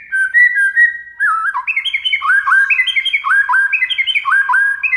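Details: White-rumped shama master song aimed at provoking a response from other shamas: opening drawn-out whistles, then continuous rapid rising phrases of bright whistled notes, repeated in stepped sequences.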